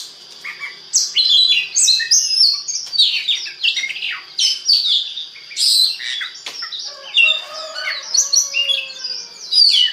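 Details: Oriental magpie-robin song used to stimulate other birds to sing: a rich, varied stream of sharp whistles, slurred notes and chattering phrases, high-pitched and nearly continuous over ten seconds, with no other clear sounds.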